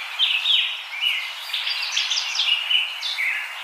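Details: Common myna chattering in a continuous stream of grating, squeaky notes, a few thin whistles standing out, against a soft steady background hiss.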